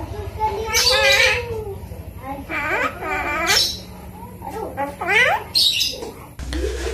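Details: Asian pied starling imitating human speech: loud, voice-like phrases with wavering harmonic tones, nasal vowel-like sounds and sharp high squeaks, in uneven bursts separated by short pauses.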